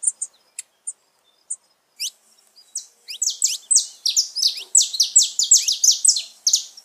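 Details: Saffron finch song played to stimulate pet birds: a few sparse high chirps and down-slurred notes, then from about three seconds a fast run of bright, sharp, high-pitched notes in quick succession.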